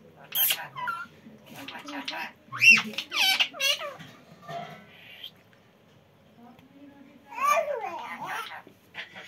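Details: Baby parrot talking in Hindi: squeaky, speech-like phrases with quick rising and falling tones, delivered in short bursts separated by pauses.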